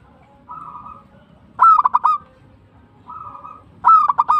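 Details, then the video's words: Local zebra dove in steady song. A soft rolling coo precedes each of two loud bursts of four or five rapid, ringing notes, with the pattern repeating twice. "PERKUTUT LOKAL GACOR TUMBAK CUCUKAN ASLI BIKIN GACOR"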